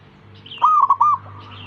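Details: A single quick phrase of three clear, rounded cooing notes from a zebra dove, said to be encouraging other zebra doves to sing along, over a steady low hum.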